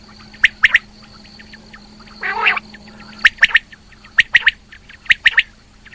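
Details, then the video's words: Female rain quail calling, giving sharp clipped double and triple notes in spaced bursts, with one harsher rasping note, over a steady electrical hum. "Female Quail Calling | Rain Quail Calling"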